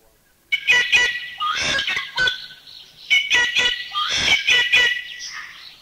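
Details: Rufous Treepie, recorded in a Thai national park (Khao Yai, Doi Inthanon, Doi Suthep-Pui or Chae Son), giving two loud phrases of harsh, grating chatter mixed with ringing, metallic notes, each lasting about two seconds.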